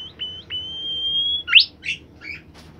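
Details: Caged bimoli bird singing actively: a long, steady high whistle held for about a second after two short notes, then a sharp upward sweep and a few scattered chirps.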